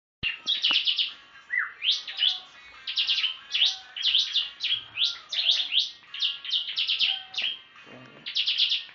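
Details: Tame prinia singing busily: rapid series of high, sharp chirps and short rising and falling twittered notes in quick bursts, with brief pauses, continuing throughout with no other clear sounds.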